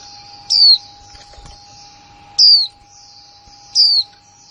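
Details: Female white-eye singing in the líu style, recorded in 2020: three thin, high, descending whistled phrases about every two seconds, with soft warbled notes between and a steady low electrical hum.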